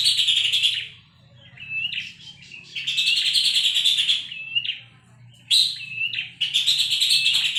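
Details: Horsfield's babbler song from a tutor recording for songbirds: harsh, pulsing chatter bursts alternate with short, clear, rising whistled notes, the chatter returning loudly several times.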